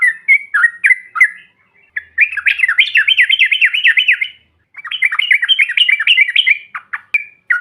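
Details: Yellow-vented bulbul 'ombyokan' material meant to provoke other birds into calling: a few loose chirps, then long fast bursts of bubbly, wavering notes rolling up and down, broken by a short gap.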